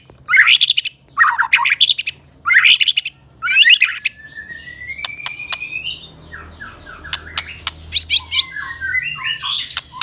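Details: Medan-type white-rumped shama gives loud buzzy, rich bursts about once a second, then a long rising whistle and softer twittering, scattered clicking notes and a faint low hum underneath.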